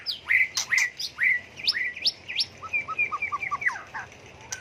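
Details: Shama song full of changing voices, played to provoke birds into song duels: loud swooping whistles and upslurred notes, then a quick series of short, lower whistled pips.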